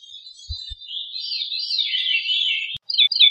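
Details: A Veery sings a breathy, wavering, fluty phrase that spirals gently downward, then breaks into a few short, higher notes; soft knocks are heard early on.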